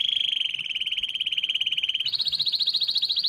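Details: Canary giving a very rapid, pulsing trill at a steady pitch for about two seconds, then jumping abruptly to a higher, equally fast rolling trill, against a low rumbling background.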